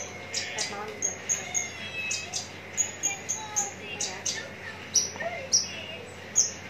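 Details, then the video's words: Javan bush lark ready for singing contests, recorded in Cikupa, Tangerang, Indonesia: irregular high whistled notes and short thin trills, some clustered, with softer lower sounds in the background. "branjangan parva joss siap gantang"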